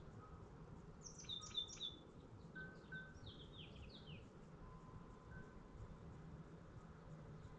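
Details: Titmouse family back in 2024, nesting in a different branch of the same yard tree after storms took their old nest branch, gives short high chirps and quick downslurred notes in a loose burst, over a faint whistle and low rumble.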